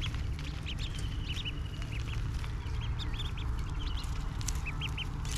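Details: Feeding ducklings eating grass with their tiny beaks utter scattered high, thin peeps in small bursts, some closely paired, against a steady low-frequency hum.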